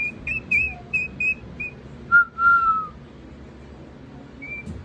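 A Sulphur-crested cockatoo whistles a quick run of five or six short, high, bouncy notes, then a lower, longer slurred whistle, with faint room noise.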